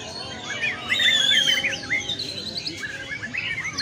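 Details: Sunbathed white-rumped shama pours out a loud, bright whistled phrase, then quick chattering notes that rise and fall in short bursts, kept in the sun so its voice rings clear, with other birds faint behind.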